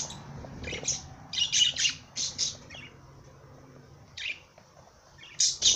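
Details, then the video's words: Parrot song of harsh, high squawky chirps in quick groups of two to five, separated by brief silences, ending with another sharp burst. "Popagai sing -song madár ének"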